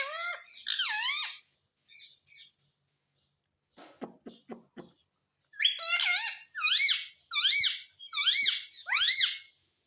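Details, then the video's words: Talking pet parrot: loud harmonic calls that arch up then drop, given in two bouts, with a few soft clicks between. The second bout repeats about once a second. "Talking parrot - Bolne wala mitthu - mitthu mitthu 🦜 Mummy bolne wala tota - papa bolunga"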